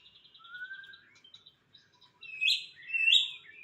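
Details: White-rumped shama singing. A soft buzzy trill and a smooth rising whistle give way to a pause, then loud, sharp, high chattering phrases in a quiet setting.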